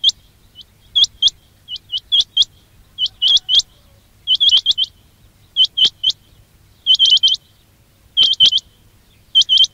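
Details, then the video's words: Quail, or batair, calls used as a trapping lure: sharp, high, upswept chirps in quick clusters of two to four, with irregular pauses between bursts. Background otherwise quiet. "quail batair ki awaz"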